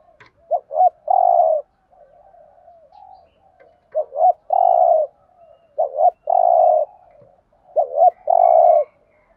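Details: Thổ-voice 'thúc gù' call of a spotted dove, used as a decoy for catching birds: deep coo phrases of two quick notes and a longer held note, repeated roughly every two to three seconds, with gentle murmurs between.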